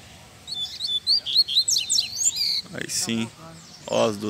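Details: A rusty-collared seedeater (coleiro) singing loose out in the bush gives a quick run of high, sweet chirps and slurred whistles for about two seconds, then a man speaks over faint background noise.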